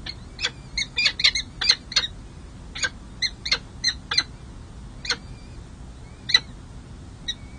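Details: At the San Jose City Hall peregrine falcon nest on 2 May 2024, as the second chick hatches and the male Monty meets the chicks at their first feeding, a falcon gives short, harsh, high chupping calls in irregular bursts, some with thin whining notes, over a faint low rumble.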